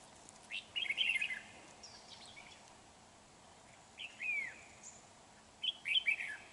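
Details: Trapping lure red-whiskered bulbul, 31 January 2019: three separate whistled phrases, a fast warble, a falling slur, then a chattering warble, with pauses of over a second between and steady background hiss.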